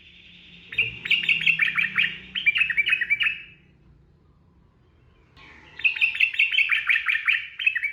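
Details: Sooty-headed bulbul in fast ropel delivery for masteran: two bursts of dense chattering notes, high and buzzy, each several seconds long with a short silent break between them.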